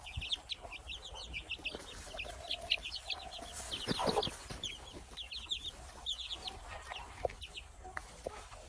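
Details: Baby chicks chirping together, a dense stream of high short peeps in quick runs, a low cluck and a brief rustle midway.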